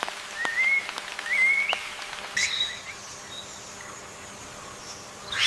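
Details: Yellow-bellied bulbul parents defending their chicks from an ant attack at the nest: a few clear whistled notes rising and slurring upward, spaced about half a second apart, followed by quieter background hiss.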